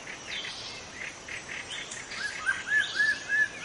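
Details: A wild forest white-rumped shama repeats short upswept whistles several times in quick succession, after softer chirps, with a murmur of other birds and insects behind.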